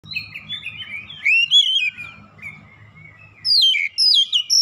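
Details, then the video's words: Oriental magpie-robin (kacer) provoked into an aggressive challenge, singing a varied run of sweet whistled and scratchy phrases, rising and falling, with a loud burst of quick notes near the end over low background rumble. "sekali pancing Kacer lawan langsung gertak naik emosi bongkar isian"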